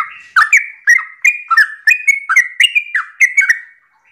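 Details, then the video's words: Sooty-headed bulbul singing a lively morning 'ropel' song, used as a lure to prompt other bulbuls to answer: about a dozen quick bubbly whistled notes, each dipping then rising, in a steady run. "Pancingan trucukan gacor ropel pagi hari trucukmu pasti langsung nyaut"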